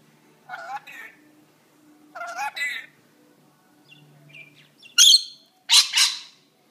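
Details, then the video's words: Rainbow lorikeet talking in a sooky, whiny manner: two short warbling, speech-like phrases with wavering pitch, a soft low murmur, then two loud, harsh, screechy bursts close together at the end, in an otherwise quiet room. "Rainbow Lorikeet talking sooky"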